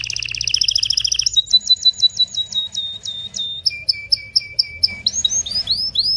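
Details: Canary song to ready males and females for breeding: a fast buzzy trill, then a row of clipped whistled notes, a lower series of short notes, and rising curved whistles.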